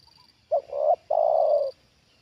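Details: Spotted dove, a trained decoy bird, reacting to a wild dove brought down for the second time; loud low cooing in two parts, a short double note followed by a long drawn-out falling coo, with a faint high steady hiss behind.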